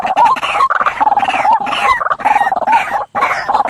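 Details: Night lure recording of a white-breasted waterhen for bird trapping: loud, hoarse croaking notes strung together in quick rough phrases, with brief pauses between bursts.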